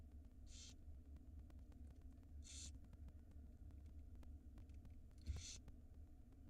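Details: Barn owl nestlings at feeding time in a nest box in Israel, March 2022 hatchlings: three fainter, short hissing rasps spread over several seconds against a constant low hum and faint clicks.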